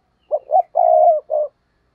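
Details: Decoy spotted dove luring wild doves with its coo: a four-part phrase of two short notes, a long level middle coo and a brief closing note, mellow and low-pitched in silence.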